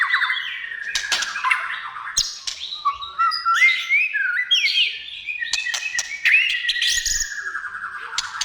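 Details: Loud white-rumped shama song to lure shamas into singing: varied whistles, slurred rising and falling phrases and short clicking notes, delivered in rapid bursts.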